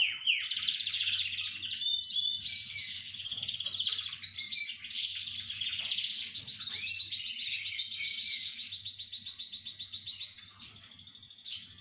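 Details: Canaries singing as a chorus: continuous fast trills, chattering rolls and whistled slides, layered and overlapping, with steady volume until a softer close.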